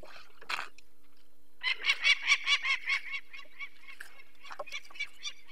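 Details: Harsh, rapid kak-kak-kak alarm from a peregrine falcon disturbed by people taking a sick-eyed chick from its nest, Barycz Valley, Poland, 2 May 2023. An isolated note is followed by a loud burst of about a dozen notes, then softer scattered calls.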